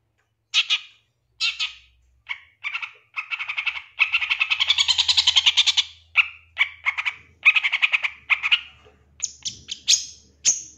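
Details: Long-tailed shrike lure song from a 2023 champion, played to make shrikes answer quickly and get agitated; harsh, nasal, rattling notes in uneven bursts, with a long fast rattle in the middle.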